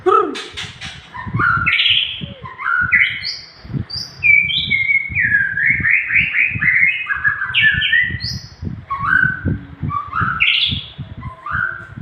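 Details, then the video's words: Nias hill myna giving a long song on a training recording for cage birds: loud, clear whistled notes that step up and down in quick chains, mixed with dense low thumps and clicks throughout. "burung Nias Gacor - masteran kicauan panjang"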